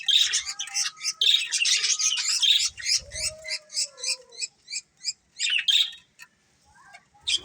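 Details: Colourful budgerigars: loud scratchy chatter opening, then a series of short clipped chirps about three per second that thin out into quiet, with a final burst at the end.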